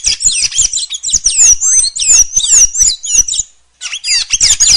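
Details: Sayaca tanager singing loudly, a hurried stream of high squeaky chirps and sliding whistled notes packed closely together, a short pause, then another fast squeaky burst.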